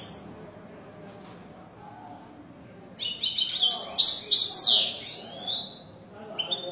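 After a few quiet seconds, a European goldfinch breaks into a fast, liquid burst of high tinkling twitters and trills, then trails off with a few final notes.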